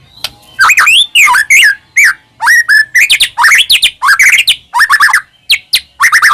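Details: Loud, constantly singing white-rumped shama of the Medan type, played to stir caged shamas into song; varied phrases of sweeping whistles and harsh chattering notes follow each other in quick succession.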